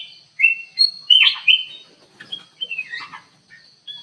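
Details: Lure bird in an aviary: a black-crested bulbul delivers loud whistled slurs and chirps in quick succession, then softer descending notes and a final short whistle, with a thin steady high tone throughout.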